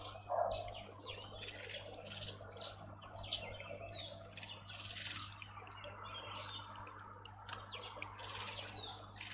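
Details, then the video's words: Bathing Dark-capped bulbul in a Pretoria garden, South Africa: varied short chirps and slurred notes, scattered and fairly faint over steady background hum. "Dark capped Bulbul loves to bath"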